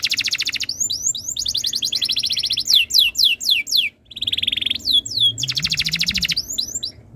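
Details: Tutor song of a canary, played to make other canaries join in: dense high trills, a run of sharp descending sweeps, a short gap, then more rolling trills and whistles.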